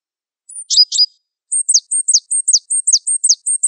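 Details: Java sparrow, of the Wingko type, sings a few doubled high chirps, then a rapid string of sharp, high, down-slurred notes repeated about every quarter second; no other sounds.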